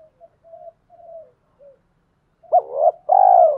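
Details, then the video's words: Male and female spotted doves calling to stimulate newly caught doves to coo: soft low cooing notes, then a loud two-part throaty coo with a rising first note and a long steady second note. "Tiếng chim cu gáy kích bổi mới hiệu quả"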